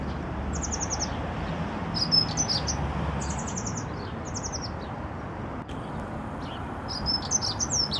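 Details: A Dunnock sings in the garden of Notre-Dame in Paris; high, rapid twittering phrases and quick trills come in several short bursts, set against constant low traffic noise.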